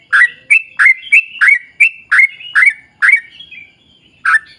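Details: Bright bubbly phrase from a yellow-vented bulbul singing in 'ropel panjang' style to lure others: about nine quick slurred notes in a burst, then a pause and a single final note.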